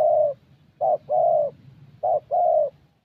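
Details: Young thổ Spotted Dove cooing during a decoy session in Gia Lai, Vietnam, voice described as fairly good; mellow low coos, a short note then a longer sustained one, repeated twice after an opening coo.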